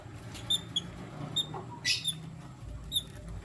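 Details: Short, bright squeaks from lutino lovebirds, a male and two females, come in a loose sequence of single notes with one harsher buzzy chirp in the middle, above a low hum.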